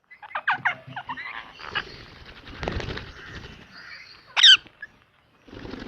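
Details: Kept ringneck parrot making quick scratchy chattering notes, softer rasping sounds, then one sharp piercing shriek near the end. The room is otherwise quiet.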